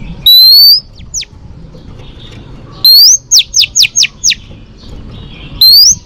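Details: Female Oriental magpie-robin song played to excite males for training, with long rising whistles and a fast series of five sharp downslurred notes between them, phrases spaced a few seconds apart.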